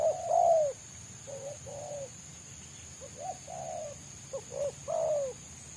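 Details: Wild spotted dove sought by bird trappers, its song dominated by the 'selang nguku' style, close-set and fast: mellow low coos in short groups, some notes rising then falling, with steady faint background hiss.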